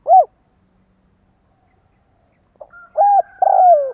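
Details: Lure call of a decoy spotted dove aimed at wild doves: a single arched coo, a pause, then a soft note followed by a level coo and a long descending coo.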